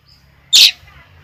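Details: A single loud, harsh, broadband screech from a lovebird, short and abrupt, over a low steady hum.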